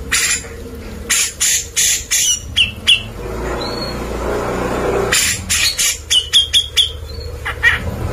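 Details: Vigorous grey-cheeked bulbul song used to tutor white-rumped shamas: clusters of harsh, scratchy bursts and brief piping whistles, then a pause with a low rumbling background before another rapid series of rasping notes and whistles.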